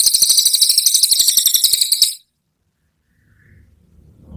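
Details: Brown cililin delivering a 'tembakan' burst: one sharp, very high, rapid trill of evenly repeated pulses for about two seconds, then quiet with faint low rumbling.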